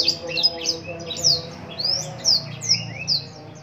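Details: Black-throated canary singing steadily, a kept bird in Lumajang, Indonesia: evenly spaced, high, sliding whistled phrases about every half second, mixed with softer lower twitters, with a low background hum.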